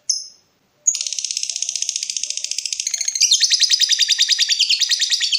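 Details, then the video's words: Long provoking chatter from a lovebird in breeding mood: one short high note, a pause, then a continuous rapid trill of sharp chirps that grows louder and harsher after about two seconds. "BURUNG LOVEBIRD MENCARI LAWAN || LB MANAPUN PASTI NYAUT BUNYI"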